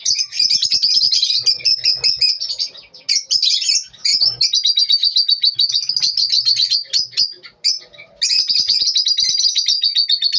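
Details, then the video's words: Morning lovebird chirping, a continuous high, rapid twitter of closely spaced sharp notes going on for ten seconds, with a few short pauses and scratchy squeaks mixed in. "lovebirds morning 🌅 natural sound"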